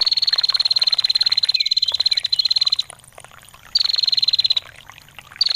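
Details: Ngetir call of a vocal female bar-winged prinia, recorded with trickling water for training songbirds: one long, fast, high-pitched ticking trill of almost three seconds, then quieter water, then further trill bursts.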